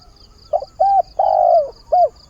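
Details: Spotted dove kept as a decoy to draw in new wild doves and lure hesitant ones, calling for a mate early in the day: soft clipped note, short coo, long falling coo, short coo, with a thin high hum behind.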